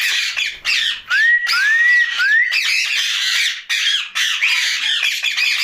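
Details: Night-time chatter from a rose-ringed parakeet kept as a pet: continuous raspy squawking with three clear rising whistled slides early on, then harsh nasal phrases.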